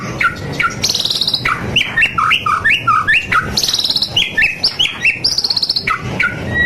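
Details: White-rumped shama in full loud song: a rich, varied stream of whistles, high sweeping notes and quick chattering phrases delivered almost without pause, each motif changing pitch and repeated in short series.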